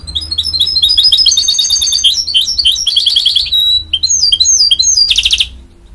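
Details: Mule bird from a goldfinch and canary pairing sings a long, rapid twittering phrase with slurred whistles and a buzzy trill, over a low background hum.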